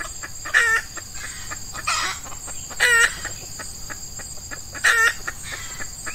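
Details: Red junglefowl calls during trapping in which wild males are lured with a female decoy, early morning in hot weather during Ramadan, when males are keen. Short sharp bursts repeat irregularly about every two seconds over a steady high insect drone.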